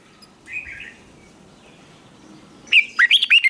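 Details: Competition-training song of a red-whiskered bulbul, 'giọng xoắn' style. Faint distant chirps are followed by a loud, quick phrase of five looping whistled notes at the end.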